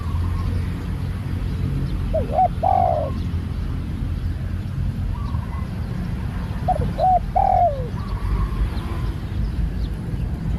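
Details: Spotted dove, a newly trained bird taken out for training, giving two bouts of cooing: short hooked notes followed by a longer, wavering, falling coo, about four seconds apart, over a steady low rumble of background noise.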